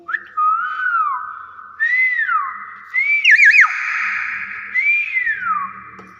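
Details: A tame common hill myna gives loud, clear whistles: four swooping notes about a second apart, rising then sliding down, with a quick wavering warble in the middle.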